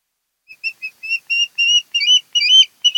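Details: Osprey calling from a Kent Island, Maryland nest camera on 10 August 2018, 02:30–03:30, home of a mated pair; a rapid run of short high whistled notes that grow louder and longer, some slurred or doubled.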